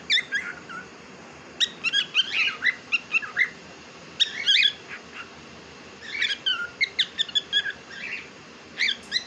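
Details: Household pet cockatiel, presented as a chatty talker, produces bursts of rapid clipped chirps and whistled squeaks in clusters separated by short pauses, bright and high, with a faint low thump midway.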